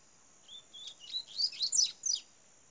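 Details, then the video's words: Young Double-collared seedeater, recently caged, starting its song: six short, high, chirpy notes over about two seconds, growing louder toward the middle, with a faint steady high whine behind. "CANTO do FILHOTE DE COLEIRO"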